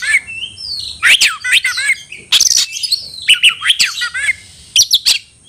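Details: Oriental magpie-robin calling out a rival to fight: loud, varied phrases mixing rising and falling whistled slurs with rasping, buzzy bursts and rapid chirps, pouring out with brief gaps.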